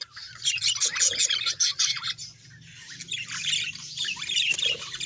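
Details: Budgerigars squawk and chatter, with loud rasping bursts early followed by softer continuous warbling, over a low steady hum in the background.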